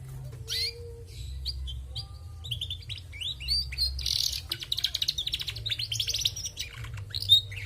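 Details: Singing female canary: varied high twitters and short whistles building into rapid buzzy trills and rattling bursts, with a low hum throughout.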